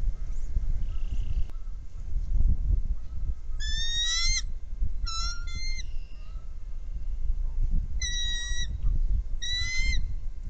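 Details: Trio of wild bald eagles at their nest, caught by a nest webcam: four bursts of high, chattering, stacked piping notes, about half a second each, separated by pauses, over steady low wind rumble.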